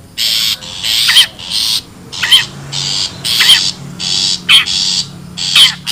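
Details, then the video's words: Long-tailed shrike in the wild, used as a lure for birds. Grating, noisy bursts repeat about every second, each ending in a sharp falling zigzag note. A faint low hum lies underneath. "SUARA ASLI PIKAT CENDET,PENTET ALAM LIAR"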